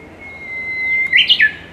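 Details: Japanese bush warbler singing its famous ho-hokekyo song in Saitama, Japan, in May 2018: a long, steady whistled note held for about a second, then a quick bright flourish of three rising and falling notes.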